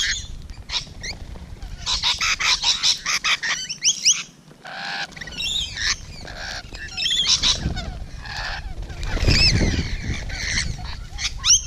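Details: Rainbow Lorikeets at close range on the morning of 12 June 2017, giving harsh, grating screeches in rapid bursts, with several birds calling over one another and some low rumbling noise.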